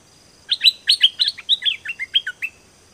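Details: Dok taeng bird used as a training and luring recording: a lively burst of roughly twelve sharp, falling chirps, fast at first then spacing out, ending after two seconds.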